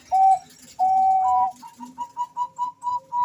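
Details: Two male zebra doves of the Bangkok variety trading calls: two long smooth coos, then a quickening run of short, slightly higher notes repeated about every quarter second.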